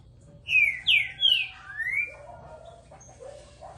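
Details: Trinca-ferro, the green-winged saltator, described as bold and a keen singer, gives three loud rich whistled phrases, the last sliding upward, followed by quieter low tones.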